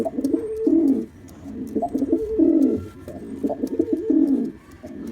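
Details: Black male pigeon in display, likely indoors: deep throaty rolling coos with warbling pulses, about three bursts separated by short pauses, each lasting roughly a second, with faint background hiss.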